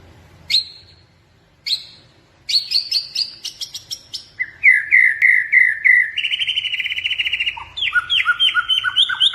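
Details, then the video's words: White-rumped shama, blorok type, kept as a pet bird, singing at full energy: a varied phrase of sharp high whistles and short bursts, then a clear repeated whistled note and fast chattering trills with lower slurred notes. "FULL GACOR - MURAI BATU BLOROK"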